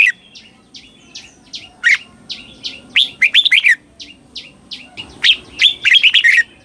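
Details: Singing red-whiskered bulbul, southern-style phrases used to train young birds; soft spaced chirps build into lively bursts of rapid, liquid warbling notes, then more chirps and another burst.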